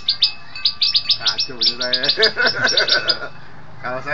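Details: Caged white bar-winged prinia training as a contest fighter: rapid sharp high chips in quick series, mixed with lower, stacked nasal notes, ending in a brief pause before more chips.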